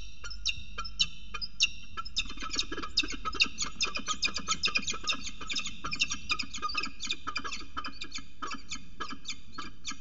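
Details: Peregrine falcon heard in a short morning chatter on 6 December 2018; a long series of harsh, rapid clipped notes, irregular and stuttering, continuing throughout over a low hum.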